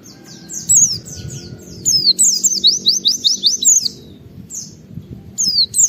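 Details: Oriental white-eye song played to provoke other white-eyes into singing: fast, high, sliding chirps in clustered runs over soft background music.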